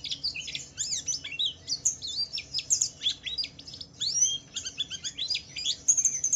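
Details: Javan white-eye singing in the wiklus wiksar style, used to provoke other white-eyes into singing: rapid, high-pitched chattering of twittering and sliding notes in quick bursts, almost unbroken, with a faint low hum beneath.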